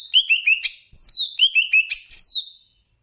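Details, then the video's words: Greater green leafbird, Banyuwangi type, training song mixed with bebeci-style phrasing to raise emotion: loud, clear whistled notes sliding downward, alternating short chirps with long falling slurs, about ten notes in under three seconds. "VARIASI LAGUNYA NGERI || MASTERAN CUCAK IJO UNTUK MENAIKAN EMOSI ! + BEBECI"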